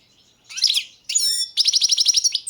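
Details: European goldfinch of the Balkan subspecies Carduelis carduelis balcanica singing: a buzzy twittering burst, then clear ringing whistled notes, then a rapid run of about nine repeated chirping notes.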